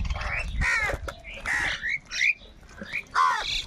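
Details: Angry crows fighting for food, calling loudly: harsh, rasping caws and short hoarse squawks, four or five strong bursts with brief gaps, some rising and nasal.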